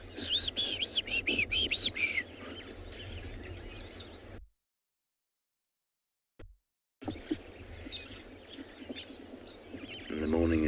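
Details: Wattled starlings give quick, high squeaky calls, about seven in two seconds, then a short gap, softer chattering and a man's low voice, on a 26 September sunrise safari at Tswalu Kalahari Reserve, South Africa.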